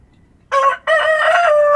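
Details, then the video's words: Dawn crowing from a rooster in a rural setting: a short opening syllable followed after a brief break by a loud sustained note, cut off before it ends. "Rooster Crowing at Dawn"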